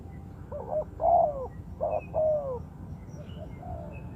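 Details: Spotted dove, of the kind used as a decoy to lure birds for trapping, giving soft, low cooing phrases, two main descending coo groups in the first three seconds, then fainter notes over a steady low rumbling background.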